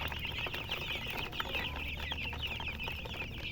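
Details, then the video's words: Chickens giving a steady wash of high, thin chirps that blur together into a constant twittering, set against a noticeable low background hum. "silly chicken chirping sounds with murgi hen color chicken"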